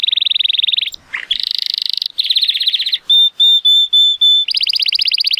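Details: Male Timbrado Español canary, born 2018 and rated 83 points, in powerful song on a sunny day: fast buzzing rolls, a short low dip, then a series of clean evenly spaced metallic pips before another rapid trill.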